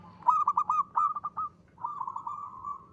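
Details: A local zebra dove gives a crisp 'ngristal' song for luring: a loud string of about seven clipped, hooked notes, a short gap, then a smooth rolling trill.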